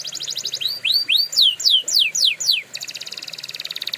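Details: Canary training song: a fast pulsed roll, then six slow, loud downward-slurred whistles, followed by a rapid even trill.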